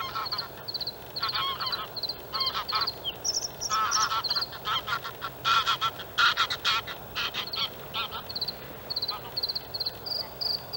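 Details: Male white-spotted bluethroat singing in the outer reed area of the harbour landfill at Halmstad, 6 May 2017. Rapid high repeated note groups alternate with louder, rich buzzy and chattering phrases, a varied run of short bursts throughout.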